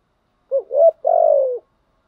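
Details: Spotted dove coo for attracting wild doves: a short wavering rising note, then a longer rising one and a long vibrating coo that slowly falls.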